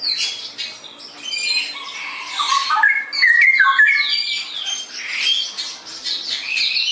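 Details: Straw-headed bulbul in vigorous ngerople singing, a continuous nonstop style: rich whistled notes slide down then rise in quick warbled runs, layered over a dense wash of high, busy chattering phrases with barely a pause.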